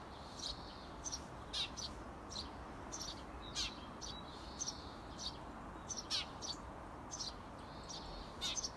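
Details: Eurasian tree sparrow parents outside a nest box urge their 17-day-old young to fledge. They give short, sharp, high chirps, one or two at a time, about one every two seconds, over a steady outdoor hiss.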